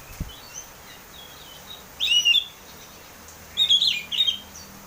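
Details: Oriental magpie-robin (kacer) song in the ngeplong style, used to lure others into singing: two bursts of rich, scratchy warbling about 1.5 seconds apart, a short click at the start, and a steady hiss throughout.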